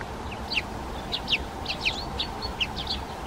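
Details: Bramblings, winter visitors from the north that arrive in small to fairly large flocks: short, sharp, high chirping notes given repeatedly by several birds over a steady low background hum.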